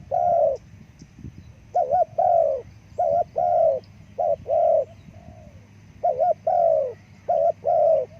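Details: Spotted dove calls used to call forest birds: soft, low coos in repeated phrases, a short double note followed by a longer drawn-out coo, with a steady low hum beneath.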